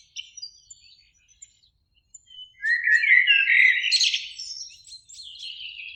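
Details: Spring evening song of a Eurasian blackbird in a beech tree near a lake, one of two singers; faint high twittering first, then a loud mellow warbled phrase ending in squeaky high notes.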